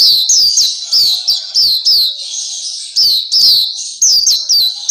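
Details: Black-capped white-eye, called Pleci Papua, used as a tutor recording for kept birds: a high, rapid twitter of thin slurred notes, each sweeping downward, in short bursts separated by brief pauses.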